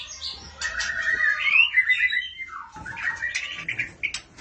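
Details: A female oriental magpie-robin calls the male: warbled whistles and buzzy chatter, rising then falling, a short pause, then more jumbled notes over a low background hum.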